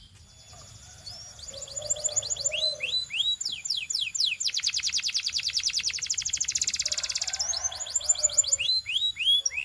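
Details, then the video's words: Belgian canary in full song: a series of sharp falling chirps leads into a dense, rapid, rattling trill, which ends in a return to bright descending notes. Each part is steady and high-pitched. "Belgian Canary Singing"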